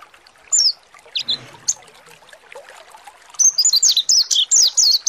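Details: Mountain white-eye (pleci monty) in a lure recording meant to provoke singing and opening the beak; faint scattered chirps first, then a fast run of high, downslurred whistled notes repeated about six times a second in the final seconds.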